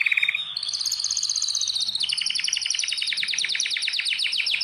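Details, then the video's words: Caged canary in a breeding room where birds are readied for mating: a brief low trill, a high buzzy sustained roll, then a fast series of repeated sharp notes at high pitch. "جولة في غرفة طيور الكناري مع تغريد روعة"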